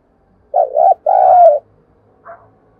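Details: Spotted dove lure call for stimulating other birds, one phrase of a wavering double-humped coo and a longer falling coo, followed by a faint higher chirp.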